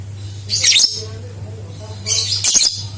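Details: Lovebird voice played as a lure to get other lovebirds singing, two bursts of piercing, raspy high chatter about a second and a half apart, each with rapid chirpy notes, a constant low hum beneath.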